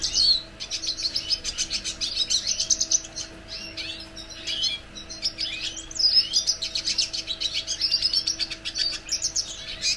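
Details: Red siskin singing a rapid, continuous high twitter of buzzy trills, sharp chirps and short slurred whistles, with brief pauses near the start and middle; a faint steady low hum runs underneath.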